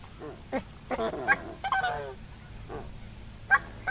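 Coscoroba swan giving loud, nasal honks, some drawn out and harmonic-rich, in a loose burst over two seconds, then a few short calls after a pause.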